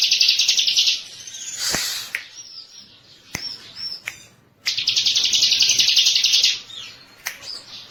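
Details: Master lure recording of a favourite bar-winged prinia (ciblek): two bursts of high, fast, ringing trill, each lasting about two seconds. Between them come scattered chips, sharp clicks and faint background rustle.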